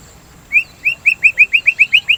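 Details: Singing white-rumped shama used to prompt a caged shama to sing and to ease breeding excitement: nine quick, bright upslurred whistles in a steady series, about five per second.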